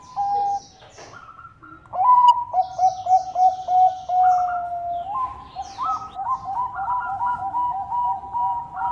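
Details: Bangkok zebra dove in full song: a lone coo, a quiet gap, then a rising burst of rapid stuttered notes and a long rolling trill of paired coos that repeat evenly to the end.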